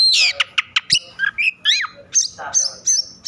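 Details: Oriental magpie-robin singing in an agitated, over-excited state, used to provoke other magpie-robins into singing; loud varied phrases of sharp whistled notes, rapid downward sweeps and harsh chattering bursts, ending in a repeated high whistle.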